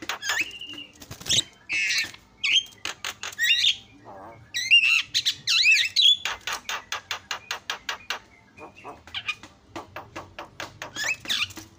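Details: Provocation song of an Asian pied starling aimed at other starlings: long sequence of fast clicking chatter, squeaky whistles and a low nasal phrase, with quick repeated dry notes toward the end.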